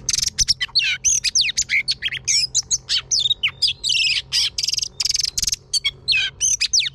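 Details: A female Oriental magpie-robin sings to stimulate males. She pours out a fast, unbroken run of bright whistles, slurred notes and chirps, varied and high-pitched, over a faint low hum.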